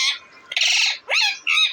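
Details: Deshi parrot squawking on April 28, 2024: a short cry, then a long harsh buzzing call, a falling screech and a final rasp, loud and close.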